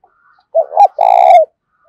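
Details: Daily challenge call of a decoy spotted dove luring wild doves, in the 'thổ sấm' voice style. A lone hooting phrase: a short rising-falling coo followed by an extended rolling coo that ends with a downward slur.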